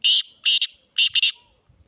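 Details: Sindhi black francolin calling loudly at close range: four harsh, buzzy, scratchy syllables, two spaced notes then a quick pair, with quiet background.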